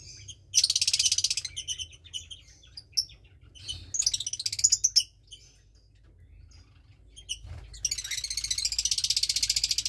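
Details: Lovebird chick aged about 20 days, parents a Parblue Turquoise and Euwing Blue Opaline pair, two chicks in the nest; loud buzzy high rattling bouts, rapid pulsed chirps, and a long rasping stretch at the close.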